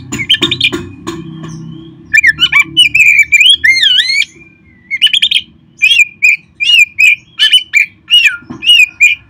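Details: Oriental magpie-robin (kacer), caged, in a recording meant to stimulate caged birds to sing: lively run of swooping, slurred whistles, then a string of short rising-falling whistled notes repeated nearly every half second, with low background hum.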